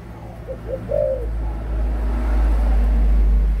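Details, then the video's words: Adult spotted dove with one quick coo phrase of short notes into a longer coo, soon drowned out by a rising low engine rumble. "cu gáy trưởng thành"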